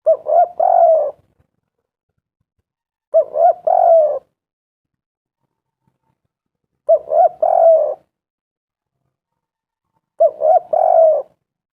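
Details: Spotted dove calling as a lure for other doves: four phrases spaced about three seconds apart, each a quick run of stuttering notes ending in a longer wavering coo, in quiet surroundings.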